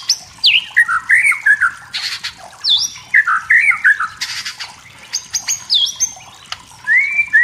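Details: Wild forest white-rumped shama singing to provoke rivals: a rich, varied run of descending whistles, quick warbled notes and rasping harsh bursts, repeated in similar phrases and closing with a clear drawn-out whistle.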